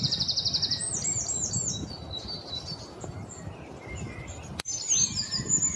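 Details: Black-throated bushtit: a fast trill of high, buzzy repeated notes at first, then scattered thin chirps and a lower whistled slur, a brief click near the end, over soft low background noise.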